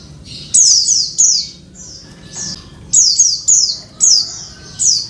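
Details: A female Oriental white-eye calls for the male with piercing high notes that slide downward, grouped in twos and threes with brief gaps, over a quiet background.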